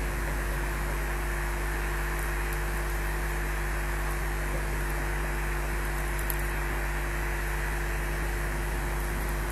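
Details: A constant mechanical hum with a broad hiss, like a fan or air conditioner, runs throughout with no animal sound.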